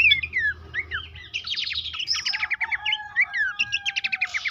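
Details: Horsfield's babbler song used as a lure and tutor to make birds sing often: looping whistled slurs, then buzzy bursts and fast rattling note series, with a long steady whistle and a low rumble throughout.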